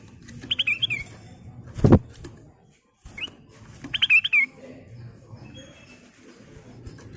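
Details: Ruby-throated bulbul full song with fills, used as a lure: two short bursts of fluting, warbled whistles with a thud between them and a low background rumble.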